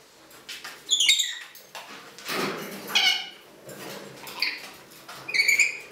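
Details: Green-naped lorikeet making scratchy squeaks and chattering notes, a cluster of rough calls followed by sporadic short squawks, recorded in a quiet room.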